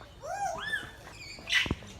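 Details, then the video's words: A bird at Bangabandhu Sheikh Mujib Safari Park, Gazipur, Bangladesh, gives a quick pair of clear, swooping whistles, the second rising higher, followed by a harsh burst; people talking nearby. "Birds Making Nice Sounds"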